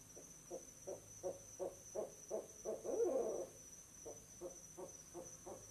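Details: Barred owl mates visiting an owl box, 6 pm on 11 November 2008, calling together over their nest site; rapid evenly spaced low hoots swell into a dense excited cluster, then resume as separate hoots, with a steady high electronic tone behind.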